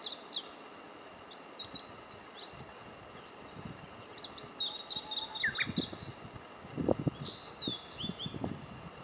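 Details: A Blue-and-white flycatcher on Mt. Rokko, Kobe, Japan gives high, thin, scattered notes with a few sliding whistles, over low rumbling wind and handling noise.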